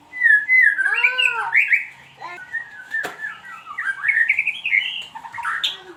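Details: Lure song of a white-rumped shama: a clear whistle that arches up and down, then bright rising and falling warbled notes and quick chattering phrases, with one sharp click midway and a faint steady hum.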